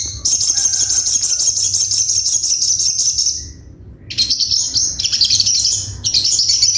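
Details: Crimson sunbird singing the sharp 'tembakan' style used to train birds: a long, very high, rapidly pulsed trill for three seconds, a pause, then choppy high trilled bursts, over a faint low hum.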